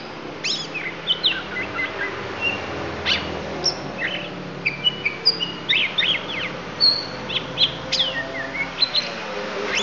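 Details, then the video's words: Lampung oriental magpie-robin producing fill phrases: a busy string of sharp chips, short whistles and clicks scattered throughout, over steady background noise. "Kacer Lampung Keluarkan Isian"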